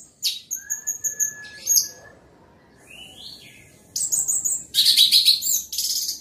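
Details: Orange-headed thrush singing loudly: repeated high whistled notes over a low sustained tone, a rising slurred phrase, then a long, dense, buzzy chatter filling the final two seconds.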